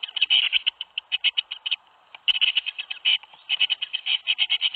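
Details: Tits in a nest box at Théding, 21 May 2019, as seven young leave the nest: a fast, steady stream of short rasping notes, pausing briefly around the middle before resuming.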